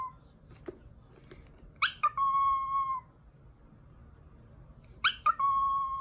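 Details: Cockatiel at home whistling the tune from My Neighbor Totoro. Short rising chirps lead into a long, level, clear whistled note lasting about a second, and the same phrase comes again a few seconds later.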